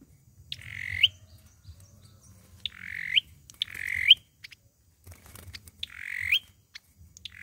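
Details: Olive-backed sunbird giving a fighting song, used as a lure for trapping: short buzzy phrases ending in a sharp upward flick, repeated every one to two seconds with pauses, over a faint low hum.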